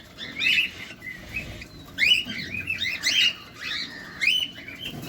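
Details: Close up, feeding cockatiels give scattered chirps that build into louder, overlapping clusters of rising, harmonic calls, then ease off.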